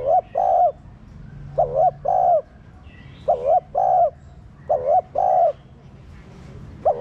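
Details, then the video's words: Cooing spotted dove, played to encourage captive doves to coo: four paired phrases, a brief undulating note followed by a longer sustained coo, repeated about every 1.3 seconds. "Cu gáy kích bổi nhanh nổi"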